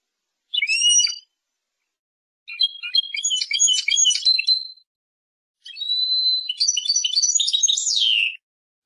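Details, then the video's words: Three separate twittering phrases from a Persian goldfinch (European goldfinch): a brief chirp, then chattering bursts with tinkling notes, and a final phrase with a held whistle sliding into a downward sweep. "Persian goldfinch songs اواز سهرهاي اروپاي"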